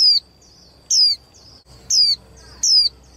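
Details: Young female white-eye, a captive bird used to spur males into fiercer singing contests, giving four sharp, high, downward-sliding whistled notes in about three seconds, with a faint steady thin tone between them.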